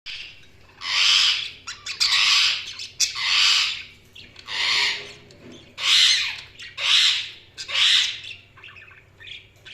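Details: Budgerigars chirping: bursts of harsh, buzzy, high squawky notes in roughly one-second clusters, repeated with short pauses, over a faint low steady hum.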